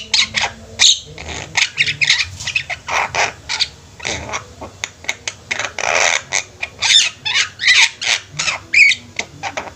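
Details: Several Javan mynas singing together, overlapping harsh squawks, nasal chatters and a few sharper whistled notes in a busy, irregular stream.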